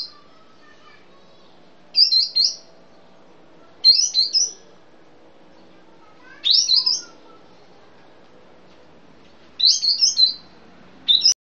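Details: Sooty-headed bulbul from Sumatra, 'piai' song: short, twittering bursts of rapid high notes, each about half a second long, given every two to three seconds with silence between.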